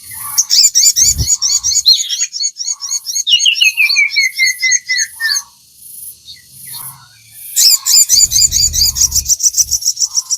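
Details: Crimson sunbird (sogon) singing at length, a training recording for caged birds. Long runs of fast, high, twittering notes include a downward-sliding trill, a short quieter gap, then another dense burst with low thumps.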